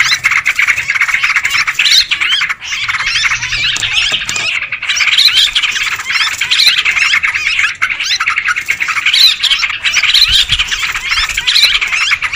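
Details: Noisy sooty-headed bulbul chatter played as a lure for birds: a long, continuous mass of overlapping squawks and quick looping notes, with livelier rising phrases coming and going.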